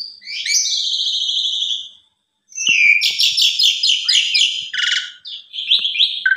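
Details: Asian pied starling in a lure song styled 'mompa full isian', meant to set other starlings singing: a long buzzy whistle, a short pause, then dense rattling, chattering phrases with scattered clicks and a final downward note.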